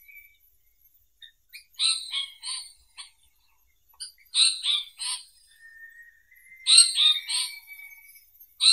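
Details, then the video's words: Harsh buzzing chatter of an Indian paradise flycatcher: three bursts of grating notes with quiet gaps, plus a faint, drawn-out thin whistle before the last burst. "Who sings?🔸 This is the Indian paradise flycatcher"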